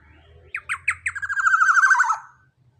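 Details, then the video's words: A loud-voiced young black-naped oriole with a large body: several crisp, evenly spaced notes that quicken into a harsh, wavering chatter running downward for about a second, over a faint low hum. "Pancingan Suara KEPODANG Emas Muda Body JUMBO BESAR suara LANTANG"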